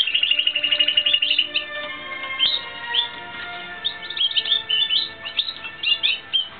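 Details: Singing Timbrado Espanhol canary, training session from 2016: an opening rolled trill, then varied high chirps and sharp upward-sliding notes in irregular bursts with brief gaps.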